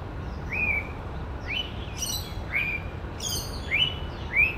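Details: In woodland, a male white-rumped shama mimics other birds with a series of upward-sliding whistles, broken up by brief high chattering bursts, against a soft background hiss.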